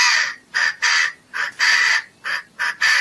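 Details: Chinese francolin giving a rhythmic run of harsh, grating notes, about seven bursts in three seconds, alternating long and short, each broad and scratchy; nothing else clearly heard.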